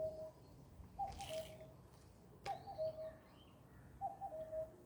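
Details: Bird giving low whistled phrases, each a brief upper note dropping to a longer lower one, about every 1.5 seconds, with a sharp click and a short burst of noise between phrases and faint high chirps behind.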